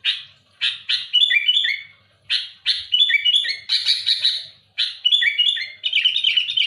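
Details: Sooty-headed bulbul in aggressive, challenging song: repeated bursts of coarse, buzzy chirps, each followed by tumbling, bubbly whistled notes, pouring out in quick succession with short gaps.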